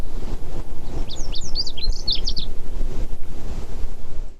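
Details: Lazuli Bunting sings one quick, high phrase of paired, slurred notes lasting under two seconds, heard on a foggy hike up the Point Sal Trail near Orcutt, California, around late June 2020; steady wind or surf rumbles underneath.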